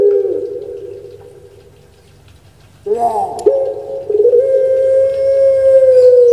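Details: Puter pelung dove, a pet bird well known on Java, Indonesia, gives a faint low fading note, then after a gap a loud wavering onset that settles into a long, even, resonant coo lasting about three seconds.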